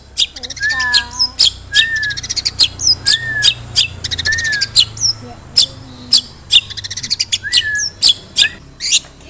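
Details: Long-tailed shrike song full of mimicked material such as fighting sparrows, used as a lure to provoke other shrikes into song: dense run of harsh chirps, buzzy trills and slurred whistles, with faint low rumbling behind.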